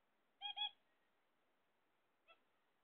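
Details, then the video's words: A zebra finch, kept as a pet while awaiting eggs, gives a loud nasal double honk. A faint single short note follows nearly two seconds later in a quiet setting. "My Zebra Finchs"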